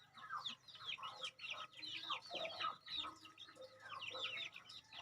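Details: A flock of two-month-old hybrid decoy junglefowl chicks keeps up a steady stream of high, wavering peeps in pulsing bursts, over a soft low background hum.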